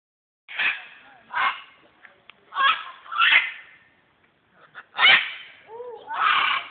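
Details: Macaws in Guatemala in 2010 give harsh, raspy squawks, about six loud bursts at an uneven pace over several seconds, with faint voices in the background.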